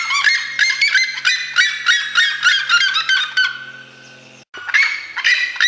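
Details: Red-legged seriema song from Mato Grosso: rapid, strident yelps repeated about three times a second, then a fading drawn tone, a brief silence and the loud yelping resuming.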